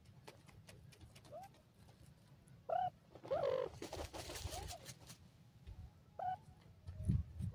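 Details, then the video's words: Grey francolin (dakhni teetar) chicks in a happy mood giving short upslurred chirping notes, several in the first half and another near the end, over steady low hum and rustling, scratching sounds. "dakhni teetar bachay happy mod"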